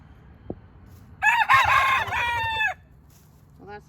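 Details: A rooster gives one rough crow of about a second and a half that holds steady and then drops at the end; a second crow begins just as the clip ends.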